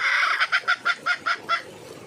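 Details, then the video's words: Red junglefowl hen calling for a mate, giving a short burst of seven loud, evenly spaced harsh clucks in quick succession, then falling quiet. "suab poj qaib see cuab tuaj zoo heev li"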